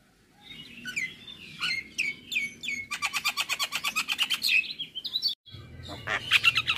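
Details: Male Javan myna singing in the morning, a full-fill tutor recording: whistled slurred notes, then a fast run of rhythmic clicking pulses about three per second, ending in bright high chirps.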